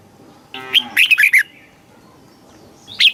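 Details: Red-whiskered bulbul singing in Thailand, played to stimulate or train birds; a short buzzy note then a quick run of four slurred, warbling notes, and one clear whistle after a pause.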